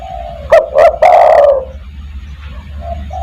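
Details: Spotted dove, 'kuk 1' style lure call for gathering other doves: two short loud notes and a long rolling coo, followed by soft, quieter cooing in the background.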